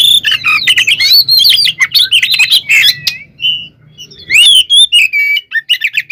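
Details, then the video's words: Fighting song of a white-rumped shama, used to make rival shamas agitated and answer: dense run of sweeping whistles and chattering notes, a short lull, then another rapid burst of rising whistles. "SUARA BURUNG kacer gacor NGEPLONG tarung KONSLET ini AMPUH buat PANCINGAN KACER agar EMOSI NYAUT"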